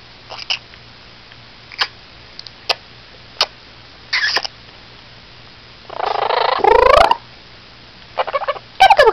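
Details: A male blue-crowned conure, a rescued feather-plucker, gives harsh, raspy bursts mimicking a barking dog, between scattered short clicks.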